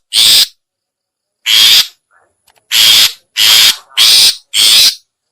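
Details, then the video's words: Harsh lure call of a long-tailed shrike for attracting other shrikes: six loud rasping notes, the first two widely spaced, the last four in quicker succession. "suara pikat burung cendet/pentet/toet toet"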